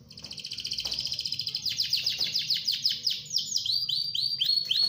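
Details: Canary in ngerol rolling song, played as a master for other canaries: a pulsing trill building in volume, merging into rapid downward-sweeping notes delivered several per second, bright and high.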